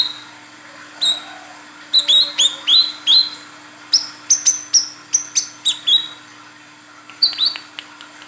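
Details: Olive-backed sunbird female calling the male, a lure recording: a lively run of high, sharp upswept chirps, increasingly rapid in the middle, then a few scattered notes, with a soft constant hum behind.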